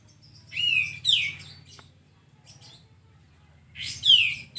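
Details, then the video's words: Sooty-headed bulbul (kapas tembak) in a tutor recording for caged birds: a pair of falling whistles, a long pause, then a single louder descending whistle over a faint low hum. "masteran burung kastem agarcepat bukor"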